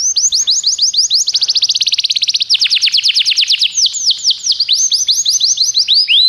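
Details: Belgian canary singing a lot as a tutor bird: a loud unbroken stream of quick downward-sliding whistles, speeding into tight trills midway and then easing back to slower, rolling phrases.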